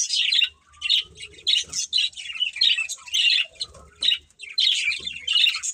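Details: Breeding pair of budgerigars chirping in bursts of scratchy, high warbled notes separated by short pauses, the chatter rising and falling in loudness, with soft low thuds.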